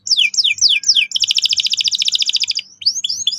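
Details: Vigorous canary song used as a lure to train young canaries to roll sharply and find their voice: four quick descending whistled sweeps, then a fast buzzy trill lasting about a second and a half, ending with short rising chirps; faint low hum.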